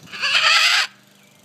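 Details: Blue-and-gold macaw, a talking pet parrot jabbering on a summer day, gives one loud, harsh, raspy squawk lasting under a second, then quiet with a faint background hum.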